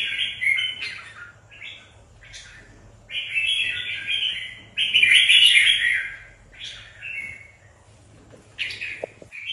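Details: Red-whiskered bulbuls kept as competition birds ahead of a tournament deliver lively, warbling song phrases, a long loud burst in the middle, interspersed with shorter chirped notes and brief pauses.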